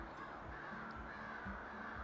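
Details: Distant American crows in Shawme-Crowell State Forest, Cape Cod, give harsh, overlapping caws, a steady raucous chorus, possibly mobbing a hawk or owl, against faint outdoor background noise.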